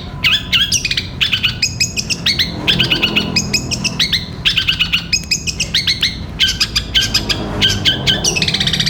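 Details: Cendet, the long-tailed shrike, in an extended energetic 'gereja petir' song meant as a tutor recording: dense strings of scratchy chirps and twittering notes, packed phrases almost without pause, with a faint low background drone.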